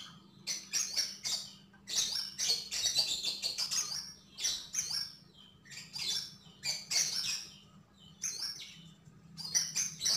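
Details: Javan grey-throated white-eye, locally called sogon or sogok ontong, singing energetically (gacor): rapid bursts of high, thin chirps and twittering phrases, briefly pausing between bursts, over a steady low electrical hum.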